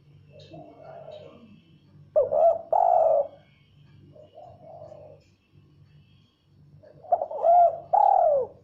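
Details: Female spotted dove learning the "kuk 1" coo: soft, low, muffled coos alternating with louder, rolling two-part coos, repeated in two series over a steady low hum.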